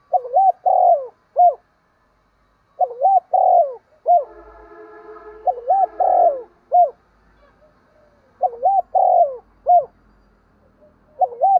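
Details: Decoy spotted dove giving its morning lure call to attract wild doves; four low three-part coo phrases, each ending in a separate short note, while a buzzy harmonic drone sounds midway.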